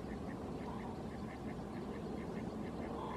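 A great crested grebe gives a rapid series of short, nasal, clipped notes, about three a second, over steady low traffic-like rumble.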